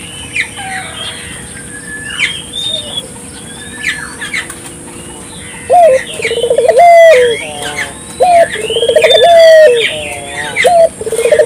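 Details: Ring-necked dove lure meant to set local doves calling. Scattered high chirps from other birds open the recording; halfway through, loud rolling trills with sharp rising notes and level coos begin and repeat three times.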